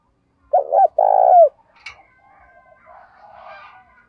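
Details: Spotted dove decoy calling wild birds in the morning: two quick hollow notes then a long rolling coo that curls downward, followed by a sharp click and soft background chatter from other birds.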